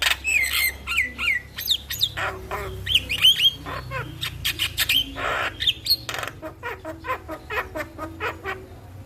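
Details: Morning starling song meant to lure and train caged birds to sing, made of squawky bursts, clipped whistles and bent notes that rise and dip, tumbling out in quick irregular runs, with a faint low hum behind.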